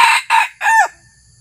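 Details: Red junglefowl decoy cock crowing to lure wild junglefowl, taken out for the first time; a short crow of three loud harsh syllables, the last one stretched and falling, with quiet background.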